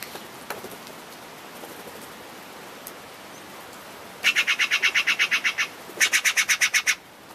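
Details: Steller's jays, a large hungry flock fetching peanuts in snow-covered Vivian Park, Utah, on 1 March 2015: a rapid run of about eleven harsh, raspy notes, a short pause, then about seven more, over soft background noise.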